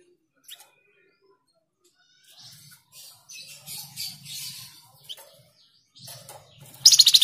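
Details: A Malaysian pied fantail gives scratchy, chattering high notes in irregular bursts over several seconds, ending in a loud harsh burst, with a faint low hum behind. The recording is used as a lure call.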